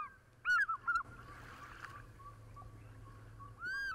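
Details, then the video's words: African fish eagle calling near water in the African bushveld: a burst of loud, clear, arched yelps early on, a quieter stretch with soft hum and faint notes, then another strong ringing note at the end. "Mysterious Call of the African Fish Eagle"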